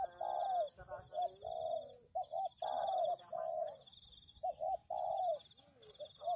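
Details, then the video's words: Spotted dove used to lure birds, cooing repeatedly: rounded low notes in long phrases broken by quick paired coos, with a faint high electronic-like tone throughout. "Pikat Tekukur"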